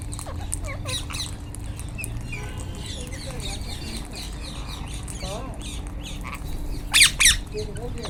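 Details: Wild rose-ringed (Indian ringneck) parakeets give harsh, shrill screeches, with two loud rasping bursts near the end, over busy chatter of other birds and a low background rumble.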